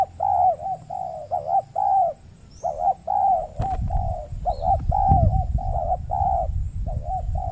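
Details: Wild spotted dove answering a caged lure during trapping on peatland in Riau Islands, Indonesia; steady series of husky coo phrases throughout, with rustling and handling noise rising in the second half.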